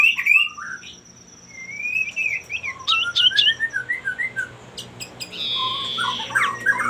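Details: Singing male common iora, a song meant to spur rival males into song. Varied whistled phrases, upslurred and wavering, with a brief buzzy rasp near the end and a steady high tone behind.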